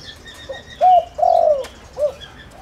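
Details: Spotted dove calling as a lure to attract wild doves: soft, mellow coos, one short, one longer drawn-out note, then a brief final coo, over a noisy rural background.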